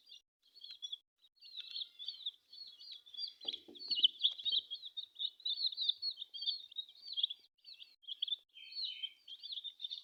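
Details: Colourful domestic chicks calling as a group: steady high-pitched peeping chorus, rapid and overlapping throughout, with a short lower rustle near the middle.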